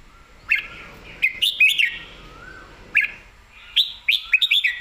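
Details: Red-whiskered bulbul delivering a full-bodied song of short, lilting whistled phrases, three separate bursts of bright chirpy notes, each opened by a sharp click, over a soft background of distant low whistles.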